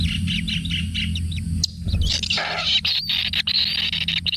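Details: Kingfisher chicks in a natural nest being fed frogs, giving high chirping begging notes in a quick series, then a short broadband rustle and a thin sustained whine, over steady low humming noise.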